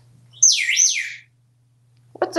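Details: Talkative male African Grey parrot living in a Texas home gives a high, piercing whistle that sweeps down and back up, a brief quiet, then the start of a lower voice, over a constant electrical hum.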